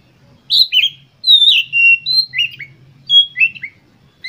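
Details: Emotional Oriental magpie-robin song meant to trigger replies from other birds: varied whistled notes, some long and downslurred, others short and twisting, given in quick bursts with brief pauses.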